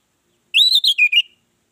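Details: Orange-headed thrush song used as a lure to set other birds singing: a short burst of loud, clear whistled notes, a rising slur, then several quick descending chirps.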